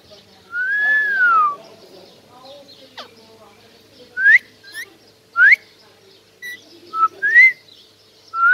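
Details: Pet parrot making whistled calls: a long, loud, arched whistle, then a series of short rising whistles repeated every second or so, with faint low background murmur.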